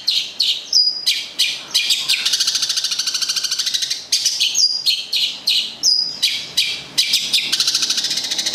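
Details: Long-tailed shrike, a local bird from Gedong Songo in Central Java, repeating a varied phrase: harsh chattering bursts, rapid buzzy trills and piercing high whistles that slide downward, cycling roughly every two seconds.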